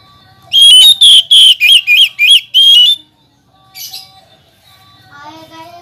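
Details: Kacer, the Oriental magpie-robin, singing to challenge rivals: a fast burst of seven loud, clear whistles with wavering pitch, followed after a pause by a brief high chirp and softer twittering.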